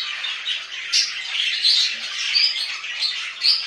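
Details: Pet budgerigars kept at home give dense, scratchy warbling chatter with quick squeaky chirps and brief sharp squawks, a continuous high-pitched stream with no pauses.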